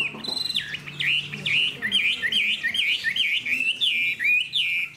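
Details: Spread-tailed Hwamei kept in a cage sings a fast string of loud fluty whistles, each note swooping down then up, repeated about twice a second in a steady, rich flow.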